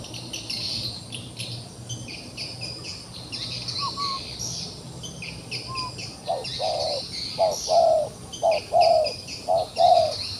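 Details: Wild pigeon, trapped yet still fighting, gives a run of short, low cooing notes in its second half, repeated about every half second and growing louder, over a steady high insect drone.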